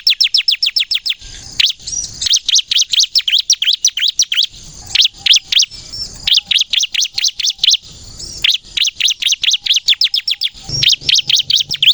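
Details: Bar-winged prinia, crystal ciblek type, singing energetically as a lure for other ciblek: rapid series of sharp descending high notes around 3–6k, delivered in bursts with short pauses, some downslurred trills, clear and loud throughout.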